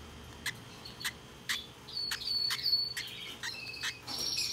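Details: A hand-tame lovebird chick, recorded 16 December 2021, gives sharp, high chirps and clicks about once a second, mixed with a few thin, wavering whistles over faint room noise.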